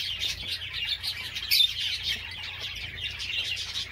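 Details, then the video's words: Java sparrow singing: bursts of high, thin twittering chirps in short phrases, one sharp louder note midway, set against continuous overlapping chatter of other small birds and a faint steady low hum. "Most Beautiful Java Songs Ever"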